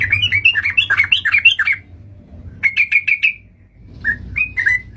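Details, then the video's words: Sooty-headed bulbul lure call for trapping: a busy run of chirpy descending notes, a brief pause, a tight cluster of sharp chirps, silence, then a few spaced whistled notes. "suara pancingan burung trucukan ampuh untuk pancingan dan pikat"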